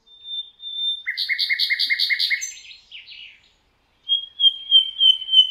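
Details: Thrush nightingale singing in the Rawka river valley, Poland: a pure sustained whistle, then a loud, fast series of repeated knocking, rattling notes, a short pause, and another run of clear whistled notes.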